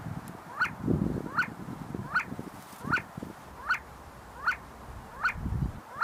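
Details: A group of see-see partridges feeding and fighting on the University of Sulaimani grounds in Kurdistan gives short bright call notes at an even pace, roughly eight in six seconds, with low-pitched background rumble throughout.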